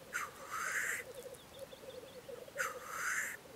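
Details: Two loud, drawn-out hissing sneezes from black grouse at a spring lek in Russia, with faint bubbling cooing underneath.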